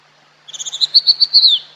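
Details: Sulingan or tledekan, a fork-tailed sunbird, in a lure recording: a rapid series of about ten high chipping notes that grow louder and end in a falling whistled flourish.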